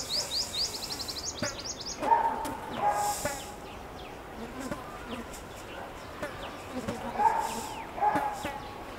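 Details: Purple sunbird in spring breeding plumage, back in Delhi for spring breeding and seeking a partner, gives mating calls from a Flame of the Forest tree: a quick, thin, high trill of about a dozen notes, then scattered sharp chirps; two lower, steady whistled notes behind.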